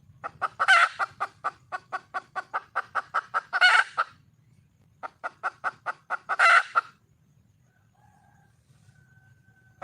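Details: Hen of the wild red junglefowl calling for a mate: fast series of clucks with loud raspy squawks, two bouts then near silence, a faint thin whistle-like tone late on.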